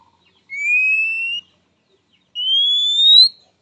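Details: Oriental magpie-robin's characteristic call to a rival, one that males and females reportedly answer quickly; two drawn-out pure whistles, the first lower and the second pitched higher, each slowly climbing over about a second.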